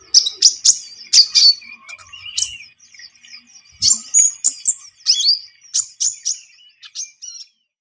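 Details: Lively Javan munia singing, suited as a lure for trapping birds: rapid bursts of high, thin chirps and sweeping whistled notes, repeated in irregular clusters over several seconds.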